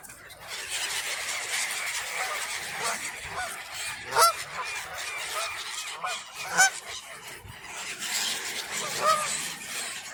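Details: Geese fed potato chips and crackers beside gulls at Tritiford Mill Park on 27 October 2025. Three loud, nasal honks ring out about two and a half seconds apart over a steady wash of gull chatter and crowd noise.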